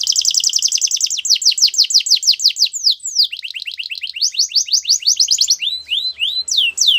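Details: Canary singing a training song: a long fast series of high downslurred notes repeated several times a second, shifting pitch midway, then slower rising and falling swoops toward the close.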